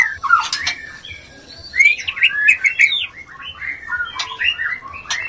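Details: White-rumped shama mating sounds, used to stir breeding urge in a bird lacking it. A lively, varied run of whistled and slurred phrases mixed with harsh squawky notes and sharp clicks, continuous with brief pauses, over a faint low background hum.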